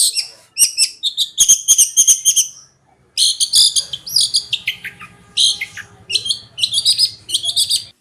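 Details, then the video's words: Konslet song of a cendet, the long-tailed shrike, recorded as a tutor for other birds: loud, chattering, partly tonal phrases broken by short pauses, with a low buzzing noise under the later part. "RAJANYA CENDET,GURU VOKAL ANDALAN,CENDET KONSLET TIADA TANDING"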